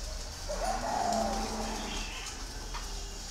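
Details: Green pigeon giving a clear whistled note that rises, then wavers and holds steady for about a second, over soft background hiss with faint chirps from other birds.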